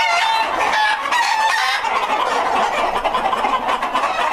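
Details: Breeder flock of White Leghorn chickens on a hatchery farm, raised for purebred hatching eggs; dense, continuous overlapping clucks and cackles from many hens, with short nasal notes poking through the busy chatter.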